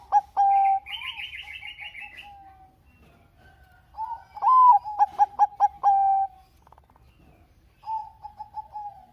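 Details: Singing Bangkok-type zebra dove, recorded as a prompt for other doves: mellow sustained coos and a burst of quick clipped notes, with a short buzzy trill from another bird early on.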